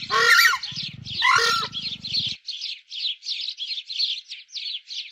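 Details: Screamer calling: two loud, harsh, honking blasts in the first two seconds over a low rumbling pulse, followed by a quick, steady series of short, high, chattering notes repeated about once a second to the end.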